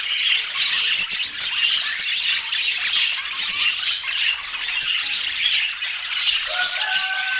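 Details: Pet rainbow budgies feeding on sweet apple chatter nonstop in high squeaky warbles; near the end a smooth, lower whistled tone rises and holds beneath the chatter.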